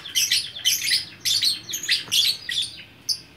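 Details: Gacor-style lovebird from Bukittinggi, West Sumatra, giving short bursts of shrill, buzzy twittering about every half second, ending with a single high chip.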